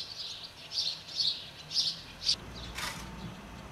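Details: House martin feeding young at Přerov-Kozlovice, Czech Republic; soft, short high chirps repeated roughly every half second, with a brief noisy burst near the end over low background rumble.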